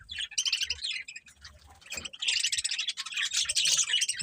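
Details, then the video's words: Budgerigars twittering in a fast, dense stream of high scratchy chirps, growing louder and fuller in the second half. "Beautiful Budgies Chirping Sounds"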